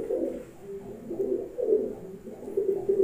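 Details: Pakistani Highflyer pigeons cooing, low throaty rolling coos repeated in overlapping bursts through the clip, with a faint room echo.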